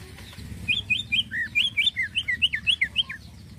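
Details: Greater green leafbird in vigorous 'isian halus' fine filler song: a rapid chain of about fourteen bright, looping whistles at a quick, uneven pace, over steady low rumbling background noise.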